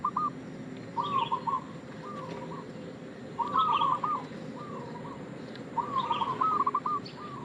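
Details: Zebra dove of local Indonesian stock cooing as a lure bird: trilled coo phrases about every two and a half seconds, with short single coos between them and faint high chirps behind.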